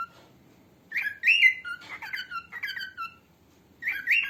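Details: Female cockatiel whistles a run of bright slurred chirps, some rising and some falling, for training cockatiels. A short silence follows, then a final burst of notes.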